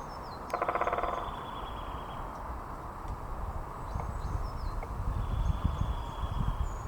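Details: Great spotted woodpecker drumming at Balgay Hill, Dundee: one short, rapid drum roll lasting under a second, against steady low wind rumble and faint high bird calls.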